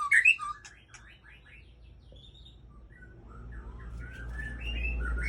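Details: Aceh white-rumped shama, a breeding bird, giving a sharp loud whistle, then soft whistled phrases and rising notes over a growing low rumble.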